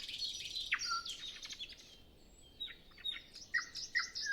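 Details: Nightingale before sunrise on a still morning, the only singer: a buzzy high phrase ending in a downward sweep and a low whistle, then a pause and spaced sharp notes with pure whistles.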